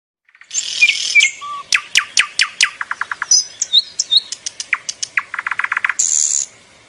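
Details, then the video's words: Small songbird giving a lively varied sequence: bursts of sharp high chirps, a fast run of clicking notes, short trills and whistled slurs, ending in a hissing buzz. "Sound of Bird."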